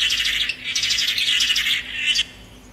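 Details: Tangará song: a dense, buzzy, trilled warble held high for about two seconds, a short break, then a brief final burst that stops abruptly. The background is quiet.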